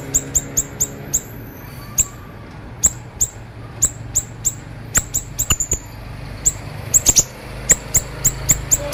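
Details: Siri-siri bird singing actively with a sharp voice, recorded as training material for other birds in the 'konslet' style: piercing high chirps in irregular bursts, some doubled or tripled, over a faint low hum.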